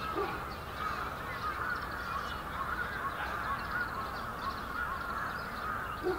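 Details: Yoyogi Park, Japan, February 2019: a big winter brambling flock gives a constant busy chorus of thin chirps, and a lower call sounds at the very start and again at the close.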